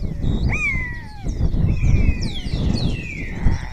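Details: Wild spotless starling in Spain's Cabañeros National Park, answered by fellow starlings; long clear descending whistles and upward-sweeping slurs overlap, heard above continuous low-frequency background rumble, repertoire said to include oriole and kite imitations.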